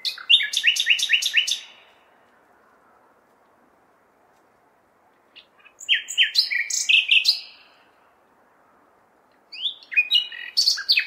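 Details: Nightingale in full song at night in May within a big city: three bursts of rapidly repeated, sharp, buzzy notes separated by pauses of several seconds, with a low hum of traffic behind.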